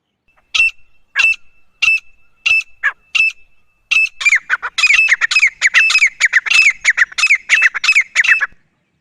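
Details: Grey francolin starting with spaced single sharp notes about every half second, then breaking into a fast, loud, harsh run of repeated notes with falling tails.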